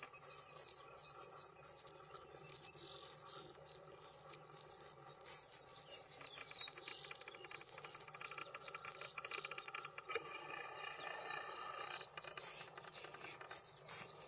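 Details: Graceful prinia during spring courtship and mating sings thin, high notes repeated about three times a second in long runs, over steady crackling, clicking background noise.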